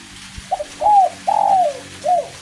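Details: Derkuku, or spotted dove, calling during light drizzling rain, kuk 1 type: a brief stuttered note followed by a slurred coo, a longer downward-sliding coo and a final short coo.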